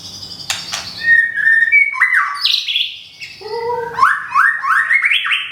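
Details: Thai white-rumped shama, recently rehomed and regrowing its plumage after molting, delivers a varied whistled song. It mixes level flute-like notes, then a series of about five quick, rising, stepped phrases climbing in pitch.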